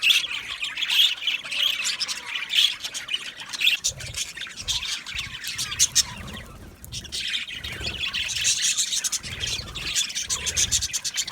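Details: An aviary colony of budgerigars chirps and chatters nonstop with many overlapping high, twittering notes. Some soft low thumps or wing-flutter sounds are heard in the middle.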